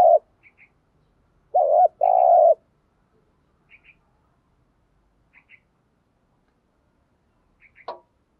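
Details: Decoy spotted dove calling in the early morning to provoke wild doves: a short hollow coo, then a pause and a low two-part coo. Faint higher chirps from other birds are scattered through an otherwise quiet background.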